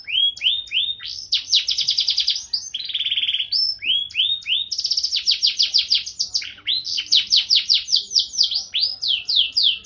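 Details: Canary singing in gacor style with a lavish cengkok variation: rapid trills of downward-sweeping notes, rolling buzzy phrases and clear rising whistles, changing pattern every second or two, loud and continuous.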